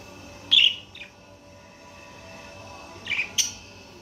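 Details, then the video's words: Budgerigar chirping: a sharp chirp and a softer follow-up near the start, a long silent gap, then a quick pair of high chirps at the end. "صوت التغريد الأصلي لطائر البادجي طيور الحب"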